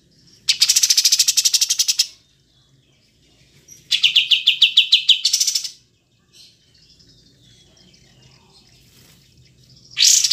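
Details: Pied triller, kapas tembak, sings three loud bursts of fast, evenly pulsed chattering notes, each lasting one to two seconds, separated by pauses. A faint thin whistle is heard in between.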